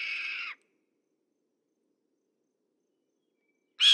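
A Red-tailed Hawk gives a harsh, raspy, high scream lasting about half a second, then silence until a second rough scream starts at the very end.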